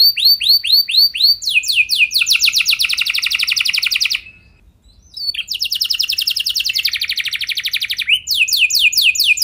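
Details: Canary long-roll song to encourage other canaries to sing: several looping whistles, then a long rapid trill, a second of silence, and another extended rolling trill followed by quick sweeps.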